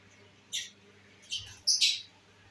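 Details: Pet lovebirds, including albino red-eyed birds, give three short shrill chirps, the last a louder doubled squeak, in a quiet room.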